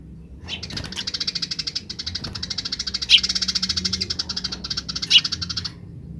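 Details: Wild Eurasian tree sparrows giving grece calls, with wild birds answering: a long, fast, buzzy pulsed chatter at about eight pulses a second, with two sharper chirps standing out.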